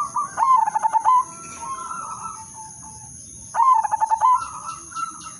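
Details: Zebra dove lure song, melodious in rhythm: two loud rolling phrases of stuttered coo pulses about three seconds apart, each trailing into softer higher cooing, with a faint constant high tone in the background.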